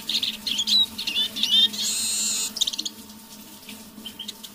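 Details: A caged decoy Eurasian siskin sings quietly in the evening: quick twittered phrases and a clear slurred whistle, then a long flat wheezing buzz, then a few sparse chirps; low steady hum behind.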